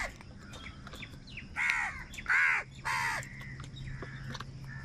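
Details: From crows quarrelling over food, three harsh caws follow one another closely in the middle, flanked by quieter, scattered calls and a faint steady hum.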